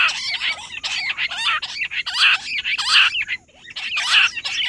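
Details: Rock bush quail calling nonstop, recorded 18 July: loud, harsh, chattering notes given in quick overlapping bursts, several rising and falling squawks repeated through the recording with short gaps.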